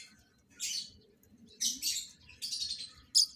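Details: Captive lovebirds being matched as a breeding pair make three harsh, high, buzzy chirp bursts followed by a sharp final squeak, over a low room hum.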